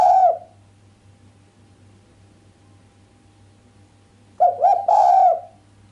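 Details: Female island collared dove giving a sharp cooing call without the 'kuk' note, said to excite the male; a short mellow coo opens, then after a long silence a longer wavering coo follows, with a faint steady low hum.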